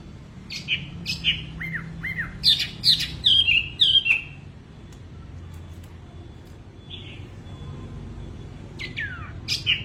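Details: Wambi bird singing energetically: sharp clear whistled notes and quick downslurred chirps in bursts, then a pause and a few more rising and falling whistles, with faint low room hum beneath.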